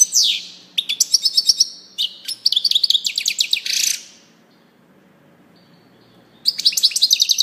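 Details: European goldfinch song in bursts: high twittering phrases and a buzzy rasp, about two and a half seconds of quiet, then another bright rapid twitter.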